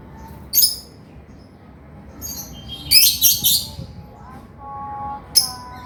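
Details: Male lovebird giving sharp, high chirps: a lone squeak, a pair of bright notes, then a short buzzy flurry of rapid pulses, ending with one more thin chirp.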